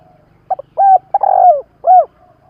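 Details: Loud spotted dove coo phrase: a brief double note, a steady mid-pitched coo, a long vibrating coo that falls at the end, then a last arched coo; faint low rumble beneath.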